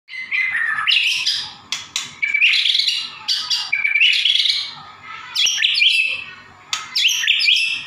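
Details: White-rumped shama singing at night in darkness: loud, rich phrases of whistles, trills and rapid chattering notes in bursts every second or two, sweeping up and down, with a faint low hum beneath.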